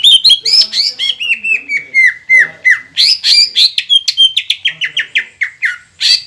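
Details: Green leafbird singing vigorously to provoke rival birds into song: a fast string of sharp whistled notes sliding downward in steps, interspersed with harsh chattering squawks and buzzy fragments, delivered almost continuously.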